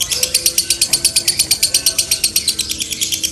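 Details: Lovebird singing a doubled konslet trill, a steady, fast stream of sharp, high, rattling notes about three per second, evenly spaced throughout, over a faint background hum.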